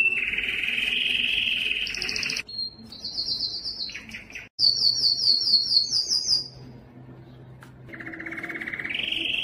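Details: Belgian canary giving its loudest breeding song to attract females: a steady buzzy trill, then a brief faint pause, high rapid rolled trills, a fast bright trill, a softer stretch, and a rising trill at the end.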